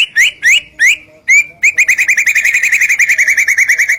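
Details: Masteran of a white-rumped shama to make other birds answer: three loud upslurred whistles, then a fast continuous chatter of short rising notes, roughly eight each second.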